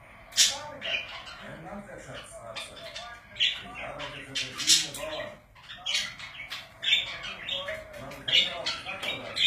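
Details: Pet parakeets chattering indoors in a steady run of raspy warbles and clicks, punctuated by louder bright squeaks every second or two.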